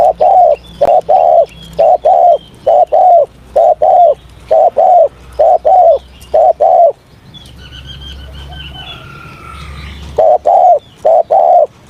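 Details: Spotted dove during a morning voice-training session, giving loud, low, hollow coos in short-long pairs, repeated steadily about once a second. The cooing breaks off briefly while a few high, thin chirps of another bird come through, then resumes.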